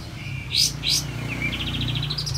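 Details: Olive-backed white-eye song used as a lure to make silent white-eyes sing; two sharp high chirps, then a thin whistle leading into a rapid rising trill, over steady low hum.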